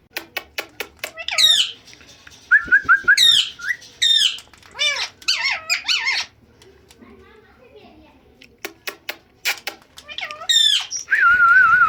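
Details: Talking pet parrot that mimics words like Mitho and Put and a meow; quick clicks and squeaky, wavering speech-like phrases come in bursts with a quiet pause midway, then a long sustained nasal whistle at the end.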